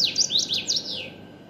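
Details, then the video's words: Common waxbill song phrase: loud, high, twangy notes tumbling in rapid downward-and-upward sweeps, ending in a fading descending slur, over faint steady hum. "تغريد طائر تبيبط"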